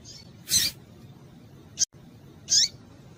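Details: Female double-collared seedeater in breeding condition calling to excite males: three brief, high, squeaky notes, one slurring downward, with a sharp click in between and soft low hum behind.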